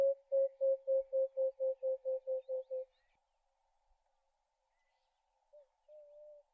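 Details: Emerald-spotted wood dove (Turtur chalcospilos) giving a run of about eleven soft, low hoots at roughly four per second, followed by a pause and two fainter notes.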